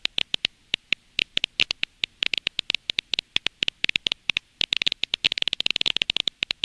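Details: Edible-nest swiftlet (Aerodramus fuciphagus) lure-call recording from Indonesia, played outside the house to attract swiftlets: rapid, dry, high clicking chirps, irregular, several per second, growing denser toward the end.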